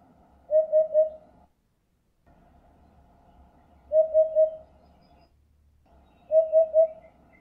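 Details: Repeated three-note hooting of a Eurasian hoopoe, three phrases of soft low hollow notes about three seconds apart, with faint distant chirps near the end.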